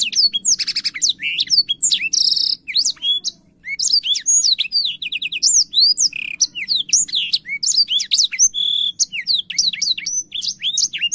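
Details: A blackthroat sings hard enough to open its wings: a long, rapid torrent of piercing whistled notes and chips, with several rasping buzzy bursts mixed in among the twittering phrases.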